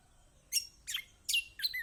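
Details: Lemon-bellied white-eye (kecial kombok), from a lure recording for birds that will not sing: four quick, squeaky, high chirps, the last bending down into a short whistle.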